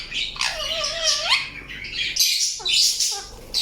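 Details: Indian ringneck parakeet giving a long, wavering, nasal screech lasting about a second, then a short pause and more rasping squawks with brief downward-slurred notes.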